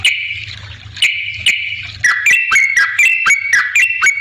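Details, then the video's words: Yellow-vented bulbul singing energetically, used as a lure to make other bulbuls answer: a steady high whistled note for two seconds, then quick bubbly phrases of rising and falling whistles with sharp clicking crackles. "suara trucukan gacor ampuh bikin nyaut pancingan trucukan agar bunyi"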